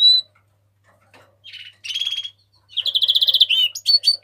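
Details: House finch song that starts with a few soft notes, then builds into a rapid rattling trill followed by bright sharp chirps.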